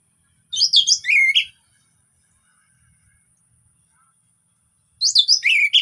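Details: Orange-headed thrush singing as a lure for birds that have gone quiet: two short bursts of quick, high, sweet twittering phrases with a downward slurred ending, separated by a long silence.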